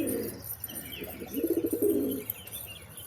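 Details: Pigeons cooing: one low, throaty burst, then a second longer coo of rapid pulsing notes that swell and fade over about a second, with faint high chirps and steady background hiss.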